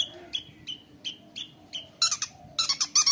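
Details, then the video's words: Long-tailed shrike (cendet) singing in a mimicry-filled style used as a master song for young birds: a string of short, evenly spaced high whistles, then loud, dense bursts of scratchy, chattering notes. "CENDET GACOR KONSLET | cocok untuk masteran trotol cendet | shrike bird"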